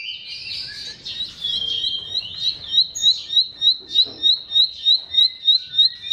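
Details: Bar-winged prinia song filler for stirring silent, stalled birds: a buzzy, wavering opening gives way to a rapid, regular string of high, sharp chirps, about three per second.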